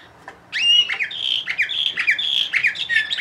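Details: Bulgarian canary called Orpheus, a 2020 bird from Sofia, bursts into continuous warbling after a brief pause: sliding whistled notes and quick buzzy rolls run together without a break.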